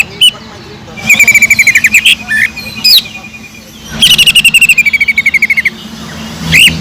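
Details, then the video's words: A kingfisher-imitation song from a greater green leafbird: two long rattling trills that drift downward in pitch, broken by a few sharp whistled notes, with a low hum behind. "PANCINGAN CUCAK IJO GACOR ISIAN ISTIMEWAH TENGKEK UDANG"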